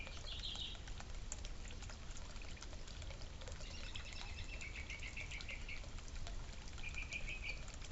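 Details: Birds feeding and drinking at a suburban feeder and fountain give a brief high twitter early, then short series of quick, repeated chirps, over trickling water and low rumble.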